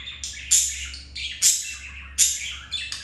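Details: Budgerigars mating at home: sharp, rasping chirps with bright upper tones, three or four bursts in quick succession over a faint low hum.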